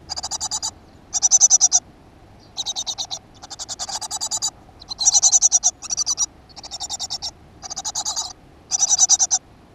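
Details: Great tit at a nest box in a school garden, 7 June 2015. A steady series of high, rasping bursts of rapid pulses, each lasting under a second, follow one another with short gaps.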